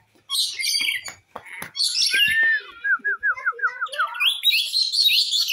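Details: Rainbow lorikeet calling loudly, used as a lure to attract an escaped lorikeet back; harsh screeches, then a rapid series of short repeated whistled notes and shrill chattering.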